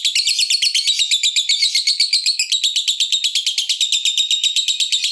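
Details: Long ngekek song of a fighter lovebird, played to provoke other lovebirds into singing. A dense, rapid stream of shrill, buzzy chattering notes runs without pause, shifting slightly in pitch midway.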